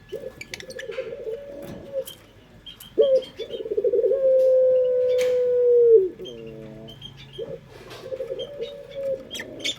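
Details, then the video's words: Local puter pelung dove used as a singing lure: rough rolling coos, then a sharp rising note leading into a long, level drawn-out coo and quick stepped notes, while small birds twitter softly throughout. "Pancingan Suara Burung Puter pelung paling dicari bersuara merdu"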